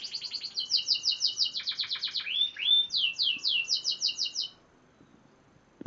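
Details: Six-month-old F1 canary learning to sing: rapid series of high down-slurred notes in repeated runs, a couple of lower whistled slurs midway, then more quick repeated notes before stopping.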